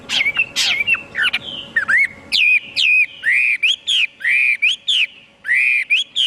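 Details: Chinese hwamei in full song, mixing sharp swooping whistles with a measured series of clear, ringing phrases, each rising then dropping and repeated about once a second; faint background hum.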